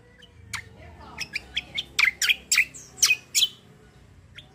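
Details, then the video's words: Black-winged myna, locally called kecial kombo or cucak kombo, singing in the 'tarung ngeroll gacor' style: a series of harsh, squawky, broadband notes, each short and scratchy, about two or three per second, with steady low hum behind. "KECIAL KOMBO CUCAK KOMBO TARUNG NGEROLL GACORR"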